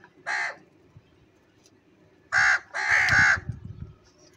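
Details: Crows fighting over food: three harsh, hoarse caws, one short at the start, then two longer ones back to back near the end, over a low background rumble.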